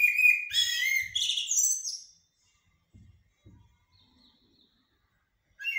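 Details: Blackbird (shahrour, jahmumiya) singing in haddadia and military styles: a clear fluty opening that breaks into a busy high twittering flourish, then silence broken by a few dull low taps and another phrase starting.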